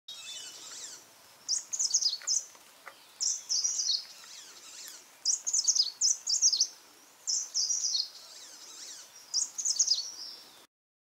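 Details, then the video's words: Grey-sided bush warbler gives very high, thin, sizzling phrases in quick bursts, about one each second, over a faint steady background hiss. "Grey-sided Bush Warbler"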